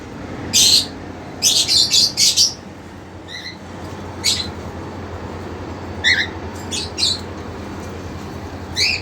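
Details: Domestic cockatiel pair, desperate young male and two-month-old sibling female in a cage: a cluster of loud harsh squawks early on, followed by shorter spaced chirps and one final call.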